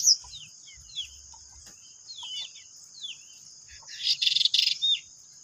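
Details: Pied bushchats, three birds singing nonstop in ngeplon style at home: brief falling whistled notes spaced irregularly, then a dense buzzy chattering burst, over a constant high-pitched background tone.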